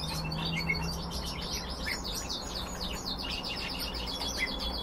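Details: Short burst of busy chirping from captive red crossbills, quick high notes tumbling over one another at roughly four per second, an occasional brighter tweet, over a low steady hum.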